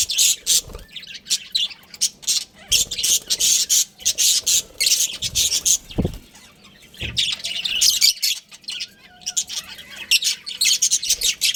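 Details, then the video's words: Budgerigar breeding pair kept as pets, chirping and chattering almost nonstop in busy high-pitched bursts, with occasional wing flutters and soft knocks. "Adorable Budgies Chirping Sounds"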